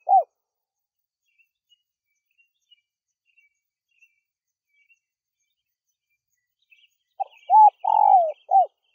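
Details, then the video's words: Spotted dove calling, played to lure wild doves: a single short coo opens, then after a long pause a full phrase of rising hooted notes, a long descending coo and a final clipped note, with faint high ticking in the background. "SUARA MEMANGGIL TEKUKUR LIAR"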